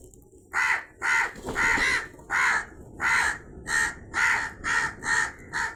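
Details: Crow cawing in a long, steady series of about ten hoarse, even caws, roughly one every half second, each loud and rasping with little gap between them.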